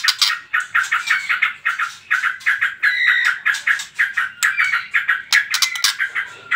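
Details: Trotol-style song of a white-rumped shama, used to provoke other birds into singing: fast runs of short bright notes, pulsing several times each second, with a few clear whistled strands and sharp high clicks near the end.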